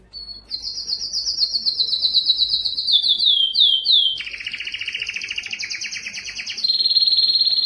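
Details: Yellow canary in full song, a long continuous series of rapid rolled trills sliding gradually downward, then a lower buzzy rattling tour with an overtone above, finishing on a high, steady trilled phrase.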